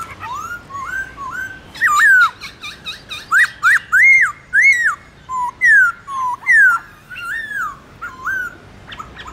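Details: Black-throated laughingthrush in morning duelling song, wild voice: soft opening whistles, then loud rising and falling whistled phrases repeated roughly every half second, some with buzzy edges.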